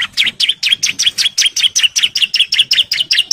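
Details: Bar-winged prinia male in breeding condition, singing to call females: a fast, unbroken run of loud, bright, buzzy chirps, about five notes per second, each note dipping and rising, steady and energetic throughout.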